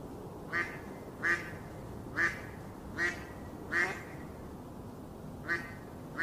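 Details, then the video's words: Duckling in a pond quacking, about seven short nasal quacks spread unevenly over six seconds, each a brief harsh burst with a steady low background hum. "Duck Sound duckling in the pond -duck quack"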